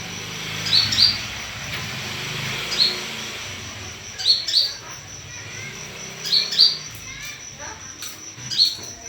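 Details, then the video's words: Olive-backed sunbird lure call used to draw a response: sharp high chirps, single or in quick pairs, repeated every two seconds or so over a steady high hum and low background noise. "Pancingan Kolibri Kelapa"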